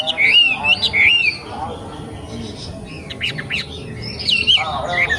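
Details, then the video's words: Young wambi from the forest: warbled whistles and chirps in short spaced phrases, separated by quieter gaps with faint noise. "KICAU WAMBIE MUDA HUTAN"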